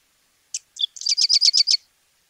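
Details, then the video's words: Song of a Sedge Wren from Argentina: two crisp introductory notes, then a quick, dry, buzzy chatter of about seven repeated notes. No other sounds. "Ratona aperdizada"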